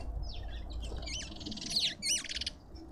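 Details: A short burst of lovebird squawks at a suburban garden feeder in Pretoria, South Africa: sliding squeaky notes build into two loud, hooked, buzzy shrieks, then quickly fade.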